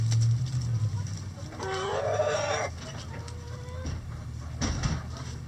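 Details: Rooster crowing in a coop while chickens scratch: one drawn-out, harmonic-rich crow of about a second, then a fainter, lower trailing note, over a steady low electrical hum and light scratching.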